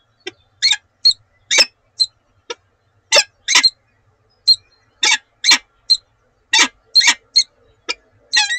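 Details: Pair of Peregrine falcons at Oudenaarde on 7 March 2020, in a morning exchange of calls: short, harsh, broadband notes in quick irregular bursts, some doubled. About two calls a second, indoors-like quiet background.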